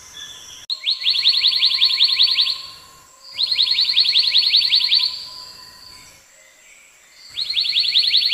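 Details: Black-naped monarch delivering very fast trilled bursts of tiny rising notes, each burst lasting about two seconds, three bursts separated by short gaps.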